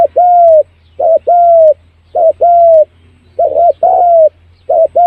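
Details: Lure recording of a spotted dove: four cooing phrases about a second apart, each a brief two-part note and then a drawn-out mellow coo sliding gently downward, over faint low hum.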